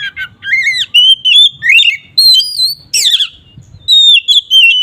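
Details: Oriental magpie-robin in 'ngeplong' song, played to provoke rival magpie-robins. Rapid, varied whistled notes swoop up and down with ringing overtones. A harsh, scratchy burst comes near the three-second mark, then sweet whistles follow.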